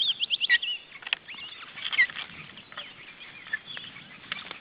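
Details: Osprey family at a nest in Estonia in June 2012: a quick run of high whistled chirps at the start, then softer scattered whistles amid rustling and crackle.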